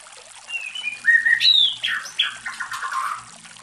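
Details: White-rumped shama singing, watched for mating behaviour: rich flowing whistles that rise to a bright high note, then tumble downward through warbled slurs in a continuous phrase.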